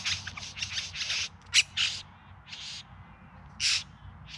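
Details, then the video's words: Bowerbird courtship performance, Yarra Valley near Melbourne, September 2020: a rapid cluster of rattling, hissing buzzes at the start, then a sharp click and several separate louder rasping churrs with pauses between. "Bowerbirds Singing and Dancing"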